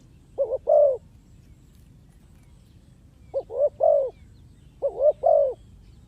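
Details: Calls of a spotted dove used as a lure in trapping; three evenly spaced phrases of two short coos and one longer drawn coo, soft and low-pitched against faint background noise.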